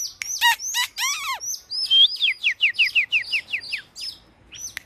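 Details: Oriental magpie-robin used as a lure for fighting birds: a few harsh, harmonic, downward-curving notes, then a crisp series of about ten rapid, sharply descending whistles, ending in scattered high chips.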